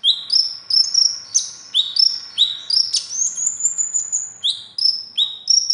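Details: Trained konin, a kolibri ninja, delivering mimicked competition song: continuous, very high chattering phrases of rising and falling whistles, about two notes a second, with one long thin sustained whistle midway.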